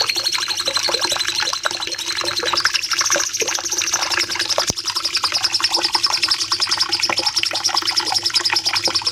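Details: Bulbul called cucak cungkok singing a long, dense burst for caged-bird training: a shrill, fast trill that rises slightly and stays steady, with a sharp click partway through and busy lower twittering.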